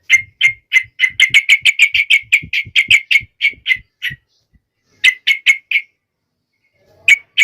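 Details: Yellow-vented bulbul (trucuk) in energetic full song, meant to set other trucuk birds singing: rapid bright chirped notes repeated about three per second, a pause, then further short bursts of the same sharp chirps.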